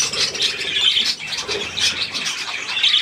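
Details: Budgerigars with young at millet, recorded 3 May 2024; short burst of harsh, scratchy squawks and thin chirps from several birds calling over one another.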